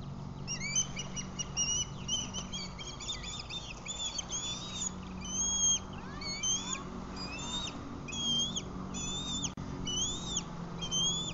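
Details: Osprey at a Lake Murray nest camera, 11:07 am on 16 July 2020, as one bird catches a fish and another races her to the nest: repeated high, thin whistled chirps with upslurred notes, over steady low hum.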